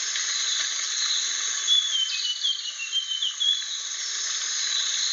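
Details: Rare Aceh blue flycatcher offers a brief series of thin whistled notes stepping downward and back up, set against a steady hissing backdrop.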